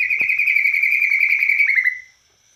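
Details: Borneo white-rumped shama delivering cililin-style phrases: one long, fast, buzzy trill held at steady pitch for about two seconds, fading at the end.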